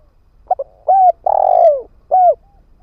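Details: Ground-type spotted dove decoy calling to draw in wild birds: a pair of short clipped notes, then a rounded coo, a drawn-out burred coo falling in pitch, and one closing coo, with near silence around it.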